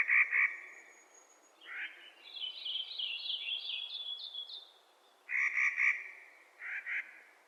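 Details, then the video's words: Clark's nutcracker calling in spring: harsh, grating notes in a quick pair, then a burst of three and a lone note. Another songbird's warbling trill runs between them. "Clark's Nutcracker Calling in Spring"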